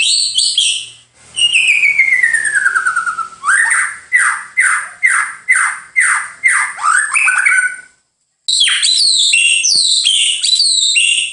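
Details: White-rumped shama song mixing a long descending whistle, a series of about ten repeated downward-sweeping notes, then after a brief gap a fast jumble of harsh chirps.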